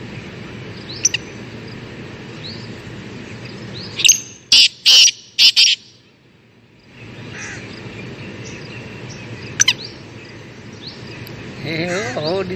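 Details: Black francolin in a forest giving a burst of four loud, harsh, rasping notes in about two seconds midway, over a background of other small birds chirping and twittering, with a brief sharp note near the end.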